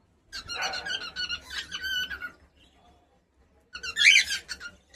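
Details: Pet cockatiel chattering and singing: dense scratchy, squeaky warbled notes run for about two seconds, fall quiet, then return in a louder burst of harsh, buzzy squawking phrases.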